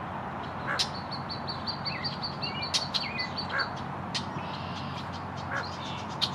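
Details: A family of hooded mergansers: a quick run of thin, high peeps, with scattered chirps over a steady rushing background.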